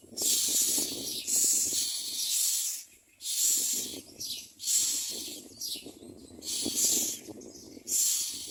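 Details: Common myna chicks in the nest giving loud raspy, hissing bursts, each lasting about a second and repeated every one to two seconds, with faint rustling between them.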